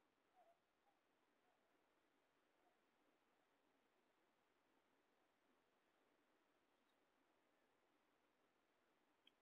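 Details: Near-silent room tone with a faint steady hiss, broken only by a soft knock near the start and a tiny click at the end.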